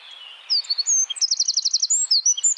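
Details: Wren's rapid 'tembakan rapat' song for training songbirds: after a faint start, a fast burst of high, tightly packed staccato notes, then scattered whistled chirps.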